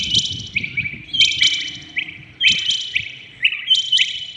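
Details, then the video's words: Early-morning calling of a rain quail, loud sharp high notes delivered in paired and tripled bursts that step slightly down in pitch, with soft background noise. "Rain quail calling 2021 | common quail calling early in the morning"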